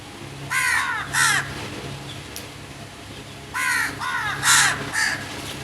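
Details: Harsh crow caws in two bouts: a pair of rasping calls, a pause of about two seconds, then a quicker run of four or five loud, hoarse caws.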